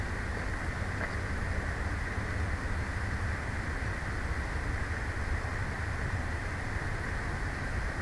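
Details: Steady low rumbling noise like wind or passing traffic fills the recording, with no animal voice heard.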